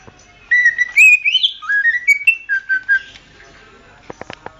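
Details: Greater green leafbird song meant for training other songbirds: a string of clear whistled notes that slide up and down, with a short burst of sharp clicking taps near the end.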